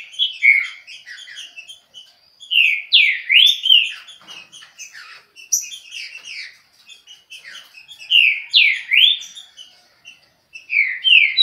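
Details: Trinca-ferro (saltator) singing its fast Chucrinho-style song: clear whistled downslurred and upslurred notes in rapid bursts, interspersed with softer chattering twitter, in a quiet room.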